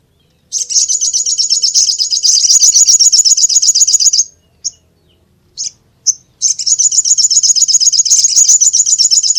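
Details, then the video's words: High, rapid chattering song of a brown-throated sunbird. Long rattling trills are broken by a few short sharp notes before the trill resumes. "SUARA BURUNG SOGOK ONTONG"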